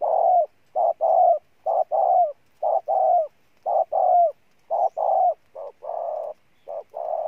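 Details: Decoy spotted dove, praised as the year's most powerful cooer. It gives steady pairs of mellow low coos: a short note then a longer one, repeated about once a second in a quiet setting.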